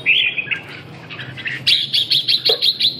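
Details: Red-whiskered bulbul giving a clear whistled phrase, then a fast repeated chattering of sharp notes at the end.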